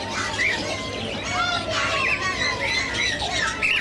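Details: Scaly-breasted Munias kept caged for sale at the Sonepur fair in Bihar, India, in November: sharp, upslurred squeaky notes scattered through a busy market din, with fair noise beneath.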